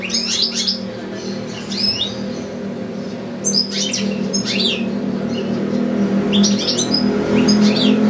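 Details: Caged goldfinch, housed with another goldfinch and two young goldfinch-canary hybrids, singing in a long recital: quick tinkling, twittering phrases of fast upward-sweeping chirps come in clusters, over a steady low mechanical hum that grows louder toward the end.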